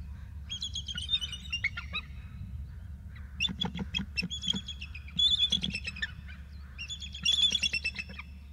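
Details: Adult bald eagles calling to each other: bursts of thin, high, rapidly repeated chittering notes with sharp overtones, in about four hurried series, some ending in falling squeals, over a steady low rumble.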